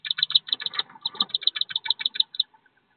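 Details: Wood duck ducklings, thirteen in a brood, leaving a nest box about 15 feet off the ground before walking with their mother to a river; rapid high peeps repeated several times a second, then trailing off into a few softer notes.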